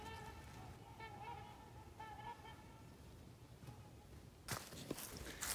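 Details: Trumpeter swans in Wild River State Park on an unseasonably warm January day, a couple flying by with two more calling below; nasal, horn-like honks come in short bursts about once a second, then handling rustle.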